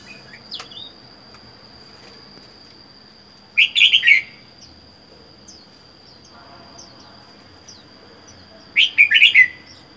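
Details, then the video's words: Red-whiskered bulbul caught from the wild and kept caged alone for four months sings two brief bubbling warbled phrases about five seconds apart, with faint high chirps and a constant thin whine behind. "Chào mào một mình một nhà có thể căng được không?"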